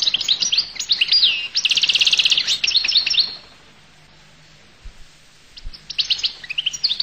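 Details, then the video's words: Collo goldfinch song: about three seconds of fast, bright twittering with a buzzy trilled passage in the middle, then silence and a resumed stretch of quick chirps. "تغريد حسون القل"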